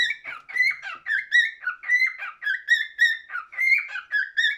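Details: Continuous cockatiel whistling: clear, slurred notes that rise and dip, repeated in an even rhythm of about one every second and a half, without pauses.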